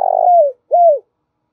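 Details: Luring call of a decoy spotted dove: the end of a long burred coo gliding downward, then one clear arched coo that drops in pitch, followed by quiet.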